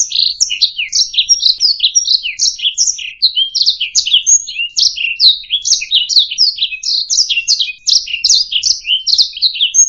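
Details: Canary chirping continuously as a master song for schooling other singing birds: rapid high-pitched buzzy syllables strung tightly together, interspersed with thin whistles, sustained without breaks over nearly ten seconds in quiet surroundings.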